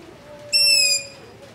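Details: Long-eared owl begging near a house at night, captured with a ZOOM H5 and LOM Usi Pro microphones: one sharp, high-pitched, creaking squeal of about half a second, against a faint steady hum.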